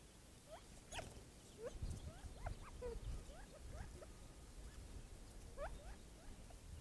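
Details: Several Gambel's quail gathered to drink water on a hot morning give soft, short upslurred notes, scattered and overlapping every half second or so, over a steady low rumble and light patter; doves nearby.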